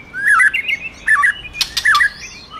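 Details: Singing white-rumped shama, roused by a female, gives short looping whistled phrases that rise and fall, broken by sharp clicks midway and a thin high trailing note at the end.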